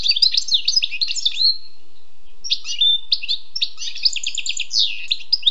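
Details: Sweet song of a wild European goldfinch, bursts of rapid twittering and buzzy trills separated by a brief pause, notes bright, high and liquid throughout.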